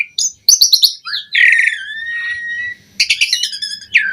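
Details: Asian pied starling (jalak suren) in full, lively gacor song, used as master audio for training starlings: clear rising whistles, a quick burst of dry clicks, then a long sliding whistle and a harsh chattering phrase.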